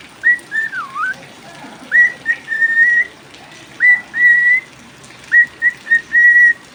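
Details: Singing cockatiel during rain: a looping whistle that dips and rises, followed by groups of short upswept notes that run into long level tones, over steady rain.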